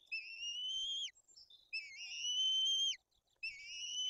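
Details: At a white-tailed eagle nest in Bory Tucholskie, Poland, with chicks being fed and the elder chick aggressive, drawn-out piping whistles hold a level high pitch and then fall away abruptly, three in a row.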